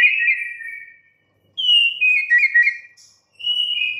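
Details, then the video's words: White-rumped shama, a kept songbird, producing long pure whistles, the first falling, then a higher sliding whistle with a warbled middle and a final steady high note. "murai batu BISU, STRES, MACET TOTAL bakalan NYAUT GACOR dan Kembali FIGHTER"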